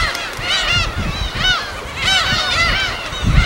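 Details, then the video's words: Field recording of wild gulls at their uninhabited-island colony in Korea's West Sea: clustered, repeated downward-arching cries from many birds every half second or so, with scattered low thumps beneath. "파도소리와 갈매기소리"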